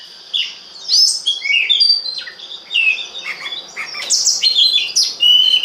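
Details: Oriental magpie-robin singing as a lure for other birds; varied whistled phrases mixed with buzzy and chattering notes, delivered in lively bursts over a faint background hiss.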